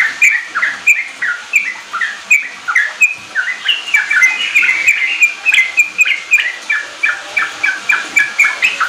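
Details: Sooty-headed bulbul riwik and ropel song, used to draw untrained bulbuls into song; fast chirping whistles that thicken into a tumbling, overlapping burst midway before returning to a steady, rapid pulse of clipped notes.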